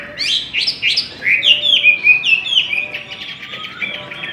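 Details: A Chinese hwamei in competitive fighting song sings a loud, rich run of rising whistles and slurred phrases, quickly changing to a rapid warbling chatter.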